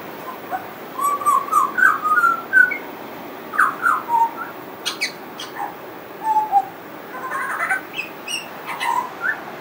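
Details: Singing pied butcherbird, friendly and unstoppable, with mimicry in its repertoire: a string of rising and falling whistled notes, then burry mid-pitched phrases and quick high chirps, phrases tumbling out several times a second with brief pauses.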